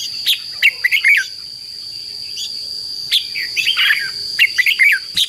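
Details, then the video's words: Decoy recording of a red-whiskered bulbul in fighting song, meant to call wild birds and rouse captive ones: bright slurred phrases at the start and end with a quieter gap between, and a steady thin whine throughout. "CHÀO MÀO HÓT GỌI BỔI CHÉ CĂNG ĐÉT QUÁ HAY - KÍCH CHIM NHANH CĂNG LỬA"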